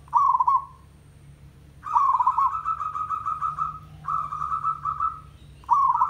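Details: Village zebra dove song used as a lure and tutor recording to make doves call: soft, rolling, staccato coos in bursts of about one to two seconds, repeated several times over a faint low hum.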